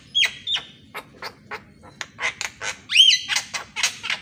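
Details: Morning singing of a Javan myna used to train quiet mynas: sharp whistled notes, a string of dry clicks and rasps, then a clear arched whistle followed by harsh chatter.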